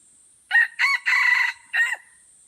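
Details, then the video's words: Aceh red junglefowl in a crowing contest at Kuta Malaka, Indonesia, giving a full crow: two short raucous notes, a long loud steady note, then a short drooping end note. A high, even insect whine runs throughout. "Ayam Hutan Aceh # Perang Kokok di Kuta Malaka"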